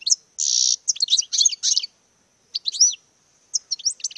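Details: European goldfinch singing during courtship display: a dense buzzy rasp followed by quick tinkling twitters, a pause, then more bright liquid phrases.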